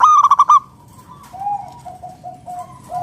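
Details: Local zebra dove (perkutut) singing as a lure for other doves: one short burst of about five quick, ringing coo pulses, followed by faint, soft, repeated cooing from other doves.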